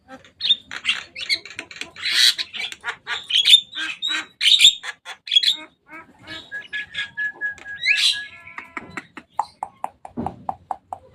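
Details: Javan myna come to play on a cage roof, delivering loud harsh chatter of rasping notes, then a long flat whistle followed by a rising swoop and a string of short clipped chacks.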